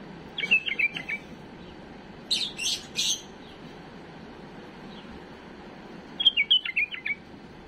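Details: Domestic bulbul delivers clean, mistake-free song for teaching young birds: a rapid bubbling phrase of whistled notes, a pause with scratchy bursts, then another similar fast warbled phrase near the end.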